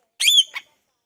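An Indian ringneck parakeet gives a shrill, whistled chirp that rises then falls, followed quickly by a shorter, harsher second note.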